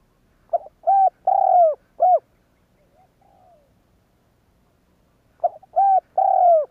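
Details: Spotted dove giving a provoking coo meant to make other doves answer: two phrases of pickup note plus mellow hooting coos, a long downslurred coo in each, separated by a quiet low murmur and a pause of several seconds.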